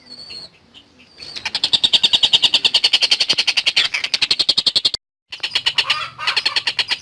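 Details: Lively long-tailed shrike (tengkek buto) song opens with a thin high whistle, then breaks into rapid rasping chatter, roughly five harsh notes per second, stopping briefly before scratchy notes resume.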